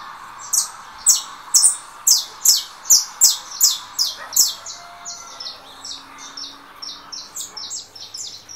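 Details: Song contest between a 'russo' saffron finch just out of moult and a recorded canary on a second phone: loud sharp chirps repeated roughly twice a second, then a softer run of quicker notes.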